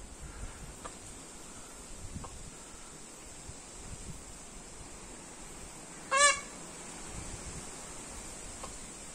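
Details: One brief, loud, nasal peacock cry rings out amid steady background hiss and low noise.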